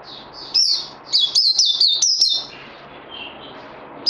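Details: Recorded 18 May 2020, a songbird in training after Covid-19 gives quick high-pitched twittering phrases with sharp clicking notes, followed by softer lower warbles and a final bright chirp.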